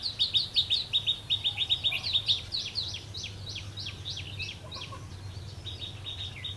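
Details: Red-whiskered bulbul at a trapping site on a rainy, windy day in March 2016, delivering a long, rapid volley of sharp high chirps, briefly doubled and loudest at first, then fading, over steady low rumbling.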